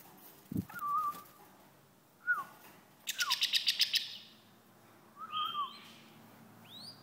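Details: White-eared bulbul singing: short, quiet whistled phrases with slurred, rising and falling notes, separated by pauses, plus a brief burst of rapid rattling notes midway and faint background hiss.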